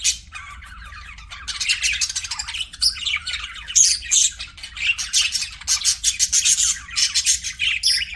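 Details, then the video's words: Pet budgerigars start with soft murmuring, then break into loud, rapid chirps and raspy squawks that come in quick pulsing bursts, very high and scratchy. "CUTE PET BUDGIES"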